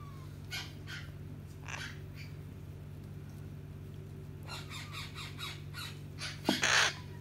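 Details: A Hahn's macaw (red-shouldered macaw) getting scratches before bed gives harsh, raspy squawks in scattered short bursts, ending with a louder screech, over a steady indoor hum.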